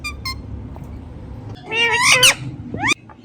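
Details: Pet Indian ringneck parrot making natural sounds: a few faint short notes, then a loud harsh rising screech and a second sharp upward squawk, with low background hum.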